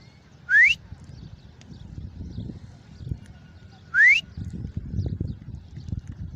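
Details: Grey francolin calling, known locally as Irani teeter: two loud, rising whistled notes about three and a half seconds apart, each sweeping sharply upward, over a low rustling rural background.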